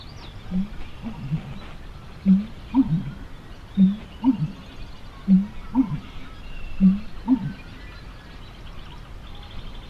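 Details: American Bittern pumping near the Fishing Lake area by Foam Lake: soft gulping clicks as it takes in air to fill its air sac, then deep, hollow low booms in paired units about every one and a half seconds.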